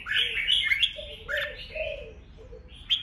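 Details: Fighting song of a red-whiskered bulbul, used to provoke rivals, with rapid chirpy whistled notes tumbling up and down while lower soft warbling notes run beneath.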